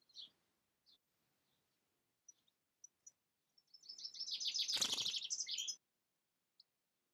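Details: European goldfinch giving a short burst of dense, high tinkling twitter lasting about two seconds, preceded and followed by scattered single high chips and a sharp click in the middle.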